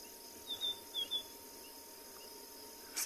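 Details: White-browed scrub robin whistling just behind an afternoon safari vehicle at Ngala or Phinda reserve, South Africa, 12 April, near a river: a few thin, high whistled phrases in quick pairs over steady hiss and faint insect hum.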